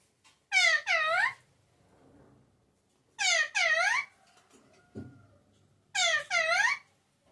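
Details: A pet parrot, locally called mithu or tota, speaks loudly in a small room: three paired bursts of rich, voice-like harmonic syllables, each pair about half a second, repeated roughly every two and a half seconds, with a faint thump between.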